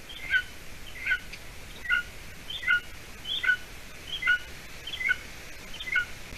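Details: Golden eaglet at a nest in Latvia, 53 days old, on 30 June 2020 around 6:20 p.m., as the adult female brings food; thin high whistled calls, each a bright note dropping to a lower one, repeated steadily about every 0.8 seconds.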